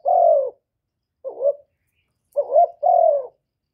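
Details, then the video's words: Spotted dove, calling to stir rivals: a falling coo ends, a short wavering note follows after a pause, then a full phrase of rising note and long descending coo, no other sounds. "Tiếng chim cu gáy kích bổi giọng hạp bổi"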